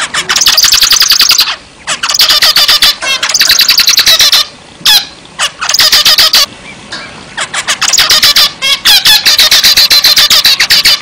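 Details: Zebra finch singing actively, delivering long runs of rapid, buzzy, nasal notes rich in harmonics, several bursts of two to three seconds broken by brief quiet gaps.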